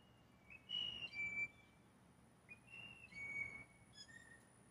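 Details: Competing blue jays courting a single female with complex whistles: two piccolo-like phrases, each a rising slur into a level whistle, about two seconds apart, followed by a short softer note.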